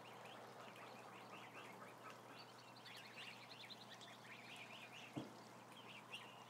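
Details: A crowd of about a thousand ducklings peeping constantly, with high, short rising-and-falling chirps overlapping in a dense chorus, plus a steady low hum and one sharp knock near the end.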